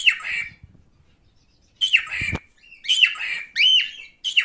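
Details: Male cockatiel calling with loud, buzzy, harmonic notes, some ending in a sharp rising-falling whistle, with a rustle of movement between the first calls.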